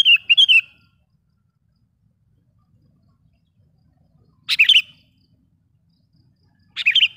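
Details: Sooty-headed bulbul lure call used to attract wild bulbuls: three short bursts of sharp, bubbly chirps around 0.7, 4.5 and 6.8 seconds, with near silence between them.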